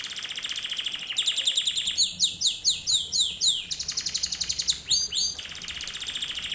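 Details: Canary singing for other canaries to learn from: fast high trill, then a series of loud swooping chevron notes about two per second, returning to quick rolling trills.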